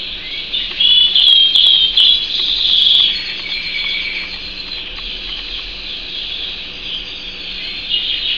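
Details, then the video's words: Canary giving a rapid, high continuous trill, loudest in the first three seconds, then softening into a steady warbling run of fine repeated notes. "Vogi der Kanarienvogel"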